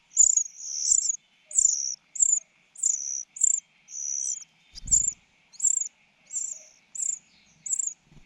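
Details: Shrill begging from a common cuckoo chick being fed by a foster mother bird: a quick series of high, short squeaks and drawn-out notes, around a dozen in eight seconds, with one low thud midway.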